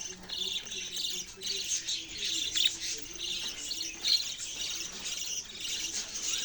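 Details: Budgies chattering at a distance: quieter, steady high twittering and chirps, with a low hum running underneath.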